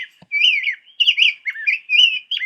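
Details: A male Rose-breasted Grosbeak along the Nashua River, Nashua, New Hampshire, in July 2012 sings rich, sweet, warbled phrases that rise and fall in quick succession, like a hurried robin ("robin on steroids").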